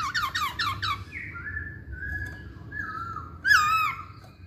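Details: Masked laughingthrush song: a quick burst of squeaky, stacked notes, then long level whistles, and a sharp rising-falling whistle near the end. Faint room hum underneath.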